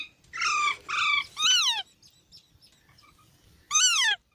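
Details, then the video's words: Baby parrots calling: two even buzzy harmonic notes, then a loud harsh squawk sweeping downward, a pause with faint chirps, and another descending squawk. "Baby Parrots Sounds|Funny Parrot Sounds"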